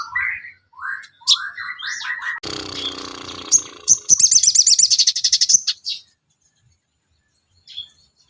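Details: Sooty-headed bulbul song for training songbirds: short rising slurred whistles in series, a burst of broad noise, then a quick high trill lasting about two seconds before silence.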